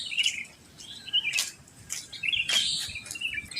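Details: Just after dawn, sooty-headed bulbuls give quick, warbling, chirpy phrases in a residential area, broken by sharp clicks and a brief flutter of wings.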